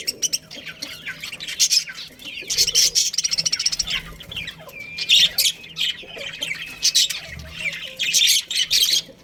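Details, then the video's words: Dense high budgerigar chatter from a colony breeding pair, scratchy chirps mixed with a few short clear whistled notes, continuing in bursts through the clip. "Cute Budgies Chirping Sounds"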